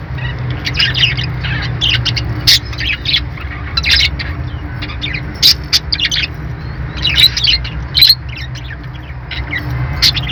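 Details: Budgie chatter of rapid high twittering chirps in clusters separated by brief pauses, a few sharper tweets standing out, with a constant low humming background.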